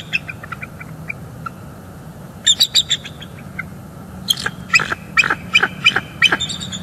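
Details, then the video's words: Morning calls of bald eagles mating at their nest in northeast Florida, late December, between bouts of incubating: sparse soft peeps, then a cluster of shrill notes and a final sequence of louder, clipped piping cries. "Bald eagles; morning mating and vocals"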